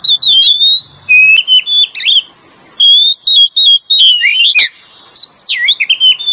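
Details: Oriental magpie-robin, male and female, singing lure song: varied whistled notes, steady tones and twisting slurs in short bursts with gaps, a few sharp clicks between phrases.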